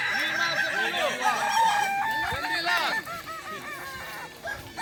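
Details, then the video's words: Crowing contest of Kokok Balenggek roosters at a dairy farm in Solok Regency: dense overlapping crows with rapid stepped syllables rising and falling, several birds calling together, softer toward the end. "Lomba ayam kukuak balenggek di sirukam dairy farm kab solok"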